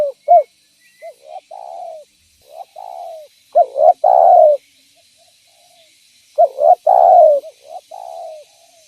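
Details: Lure call of a spotted dove meant to draw in other spotted doves: two runs of deep, rounded cooing notes, short clipped coos leading into longer swelling ones, separated by a quiet gap of about a second and a half.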